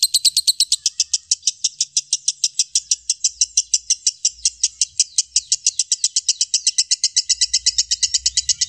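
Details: Lovebird giving a long, fast chatter as a loud mastering recording: high rasping pulses that run together, speeding up slightly toward the end, with a low hum in the background.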